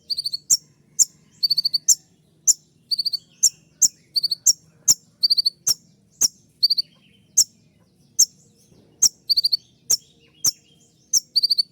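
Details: Purple-throated sunbird (kolibri ninja) delivering "tembakan" song for training caged birds: sharp, very high ticks repeated roughly every half second, many followed by short tinkling triplets of notes, all against a quiet background.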